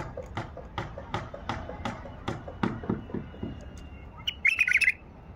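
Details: A White-eared Bulbul singing outdoors in nature gives a brief bubbly, warbled phrase near the end, after a run of sharp clicking taps about three per second.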